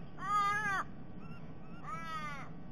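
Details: Ravens at a sea-eagle's nest, three birds thought to be a family with a begging fledgling, raiding and eating the eagle's eggs, December 2021: two drawn-out, nasal, wailing calls, each arching slightly in pitch, with a pause between.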